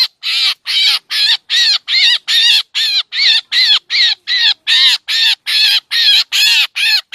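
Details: Black drongo calls used as a bird-trapping lure: a fairly regular string of about eighteen rasping, harsh notes, each short and noisy, delivered at a brisk pace of roughly two and a half per second.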